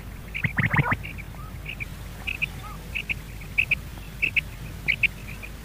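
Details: Common quail sound used in quail hunting: crisp short notes in pairs and triplets, repeated steadily, after an opening burst of clattering clicks. A soft background hiss continues throughout.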